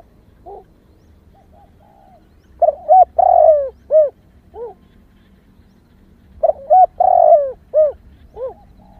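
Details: Female spotted dove calling to excite males: two bursts of low, soft cooing about four seconds apart, each a quick run of short hooting notes around a longer, fuller coo, with faint softer coos in between.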